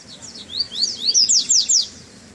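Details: Treme Terra song by a double-collared seedeater coming out of moult on its first cold outing: a brisk series of high rising then steeply falling whistled notes, about seven within two seconds.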